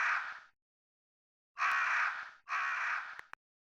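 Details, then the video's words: Crow calling with three raspy, broadband caws, the last two coming close together after a short silence, each rough and slightly falling, ending with a brief click. "Crows sound effect"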